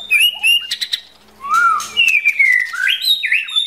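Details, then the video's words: Female white-rumped shama, a wild-caught forest bird, spurring the male to practise: clear pure whistles, a low rising slur, then a run of descending and climbing whistled notes, with brief clicks between. "Chim chích chòe lửa rừng mái kích trống luyện giọng"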